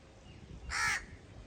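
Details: A single harsh, drawn-out crow caw of about a third of a second, rough and nasal, standing out clearly above a low, steady background rumble.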